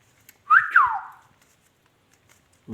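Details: A rose-ringed parakeet (ringneck) kept as a talking pet gives two quick voice-like sounds, each rising and then sliding down, in a quiet room.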